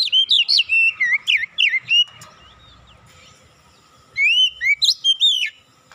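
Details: Magpie-robin song mixed with mimicked cinereous tit notes, recorded as a training lure; rapid swooping whistles for two seconds, a pause of about two seconds, then another fast, bright burst.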